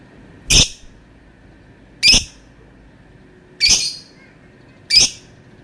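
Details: Lovebird giving a long-sounding call: four loud, shrill, high chirps, each short and harsh, spaced about one and a half seconds apart over a faint steady background hum.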